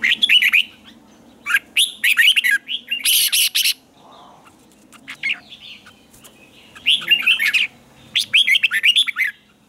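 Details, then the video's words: Morning song of a red-whiskered bulbul, delivered in the double twisted, tense note style used to train other birds. Loud, rapid warbled phrases are repeated in several bouts, separated by brief pauses with soft background chatter. "luyện chào mào hót sáng hay nhất 2020, Âm kép xoắn căng, cách luyện chào mào hót căng lửa"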